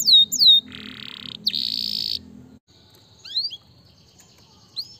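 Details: Canary song opening with two sharp falling whistles and a long buzzy trill. A brighter buzzy roll follows, then near quiet with a few faint rising notes.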